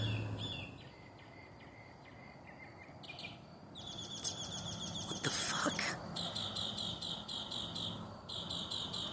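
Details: A bird heard calling at midnight: high, rapid chirps and short trills in shifting phrases, some buzzy and some ringing, each note repeated several times a second before switching to a new pattern.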